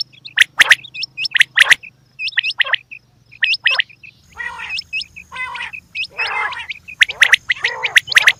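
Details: Female quail producing sharp cracking chirps and hooked high whistles, followed by a stretch of harsh, raspy, buzzy calls overlapping further chirps.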